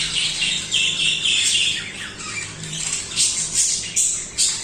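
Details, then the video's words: Budgerigars chirping continuously, with whistled and squeaky notes followed by quick bursts of sharp, high chirps close together. "Budgies singing/chirping"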